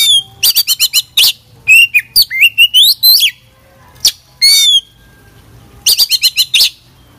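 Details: Kacer, the Oriental magpie-robin, singing energetically with varied filler phrases: bursts of rapid sharp notes, looping whistled slurs, a wavering buzzy trill, and another quick note series after a short pause, over a low steady hum.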